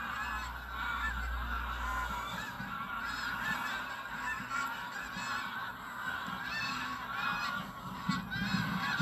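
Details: Sunrise departure of tens of thousands of geese from Burnham Norton wetlands, North Norfolk coast, 10 September 2022, recorded by phone: unbroken honking chorus from many birds, with a deep low drone early on.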